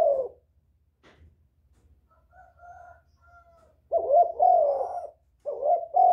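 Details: Spotted dove cooing to lure other doves, close hoarse coo phrases at start and end, with a fainter distant coo and a click in the quieter middle stretch.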